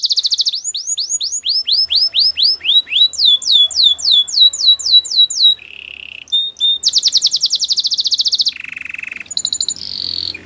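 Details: Canary singing varied phrases: repeated descending whistled sweeps, a brief low roll, sharp isolated notes, a dense high trill and a lower buzzy passage.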